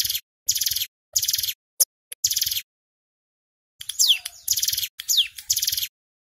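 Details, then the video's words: Male Ciblek Gunung (Bar-winged Prinia) singing in the loud 'nembak rapat bren' lure style, used to provoke wild birds: short dense buzzy bursts, each about a third of a second, repeated with brief gaps, plus thin descending whistled notes. "Suara CIBLEK Gunung GACOR PIKAT - Pancingan Ampuh Bikin Ciblek BAHAN Cepat EMOSI Bunyi NGEBREN"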